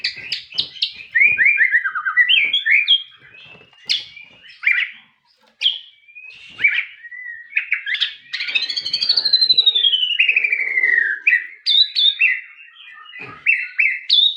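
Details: White-rumped shama performing a long varied song of high whistles, quick chips and a drawn-out descending whistle, with short gaps between phrases.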